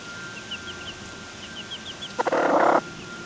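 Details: Domestic chickens on August 3, 2021: hens dust bathing, among them Golden Comet, Blue Rock, Buff Brahma, Silver-Laced Wyandotte and a Cuckoo Maran mix mother hen with three chicks. Two runs of thin, high peeps, then one loud harsh burst.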